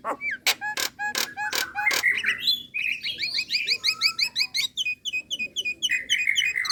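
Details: Female Nias hill myna calling to a male, relaxed voice: a handful of loud clicks, then dense chattering of short upward-flicked chirps with a lower whistled tone threading through.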